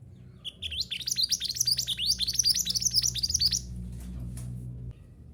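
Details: Mantenan gunung, used as a model to train caged birds to sing: a loud, rapid run of high rising chirps, roughly two per second, for about three seconds, then quieter notes fading out against steady low hum.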